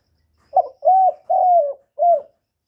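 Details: Spotted dove calling and cooing ("gọi, thúc, gù"): four hollow coos in one phrase, a short breathy opener, two long smooth level notes, and a brief final note. The recording is clean with no background sound.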